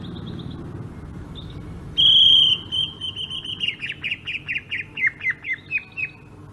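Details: Greater green leafbird from Sumatra in rolling ngerol song: a loud high sustained whistle, then a rolling series of quick descending chirped notes repeated about twice a second, with faint earlier notes and low background hum.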